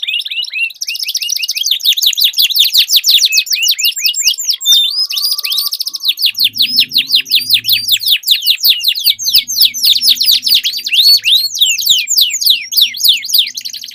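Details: Canaries dueling sing over each other in long, rapid rolling trills and sweeping whistles, high and bright, continuing without a pause; a faint low hum sits underneath.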